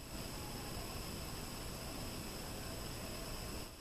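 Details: Constant loud broadband hiss and rumble, like wind or traffic, runs almost throughout before easing slightly at the very end, with no distinct calls.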